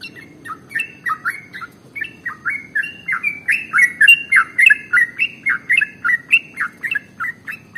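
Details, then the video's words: Sooty-headed bulbul, known as trucukan, singing a long ropel song used to stir other birds into song: chattering run of short whistled notes, starting softer then growing louder, over three per second. "SUARA Trucukan ropel SUPER PANJANG paling AMPUH untuk PANCINGAN burung gacor"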